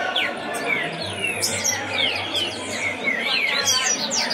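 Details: A double-collared seedeater, a competition bird taken to start a tournament, sings a fast, high twittering run of sharp down-slurred and up-slurred notes, with a low steady hum underneath.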